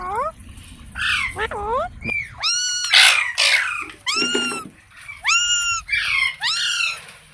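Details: Loud ringneck parrot squawks: arched, ringing calls that rise and then fall, given in separate bursts with brief pauses between them.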